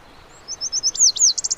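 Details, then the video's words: Part of a Lazuli bunting song: a few soft high notes lead into loud, ringing downslurred whistles and a quick run of short chirps at the end. "The Melodic Song of the Lazuli Bunting"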